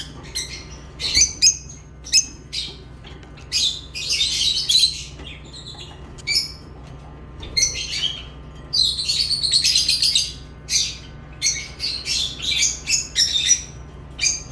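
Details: Lovebirds chirping in short sharp bursts and longer chattering runs of high squeaky notes, spaced irregularly across the recording over a faint low hum.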